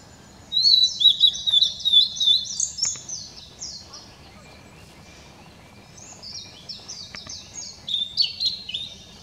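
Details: Blue-and-white flycatcher song recorded on 7 May 2016: two bursts of high, clear whistled phrases, sliding and warbling, with a quiet pause between them and faint low background rumble.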